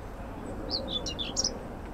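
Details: A common whitethroat singing on 25 May 2024 in an allotment garden in Södermalm, central Stockholm, Sweden, gives a quick, scratchy warble of about eight high, hurried notes lasting under a second, over a steady low city rumble.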